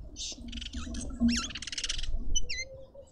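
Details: Harsh grating squawks from a red-winged starling feeding in a suburban South African garden in Pretoria, quickly followed by a pair of short, sharp whistled notes.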